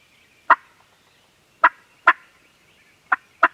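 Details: Five separate, abrupt gobbles from farm turkeys, spaced unevenly over a few seconds with quiet gaps between them, recorded on a Canon G7X camera.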